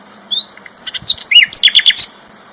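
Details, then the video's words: A flycatcher singing loudly, as training material for champion cage birds: a thin rising whistle, then a quick tumbling burst of sharp twittering notes, above a steady high hum. "BURUNG SIKATAN LONDO GACOR ISTIMEWA KERAS LANTANG"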